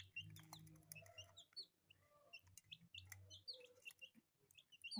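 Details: Several colourful chicks kept as pets give rapid high cheeps, each a brief falling note, clustered in lively runs with short pauses; a low constant hum and a few faint knocks sit in the background.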